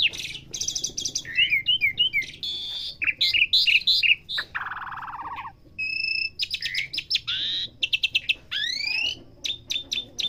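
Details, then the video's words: Asian pied starling, trained to learn sounds, delivering a varied medley: rapid chattering bursts, twisting whistles, a long buzzy note, steady paired tones and quick trills in constant succession. "Melatih jalak suren belajar bunyi"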